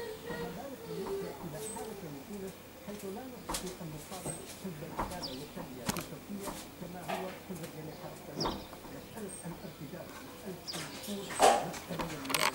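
Common Starling giving a rambling medley of clicks, rattles, wheezy chatter and thin high whistles in irregular bursts, over a steady low background hum.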